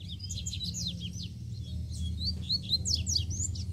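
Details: Free-flying double-collared seedeater delivering a forceful song, a fast continuous chatter of high slurred chirps and quick down-sweeping notes with a brief pause mid-way, low rumbling background noise throughout.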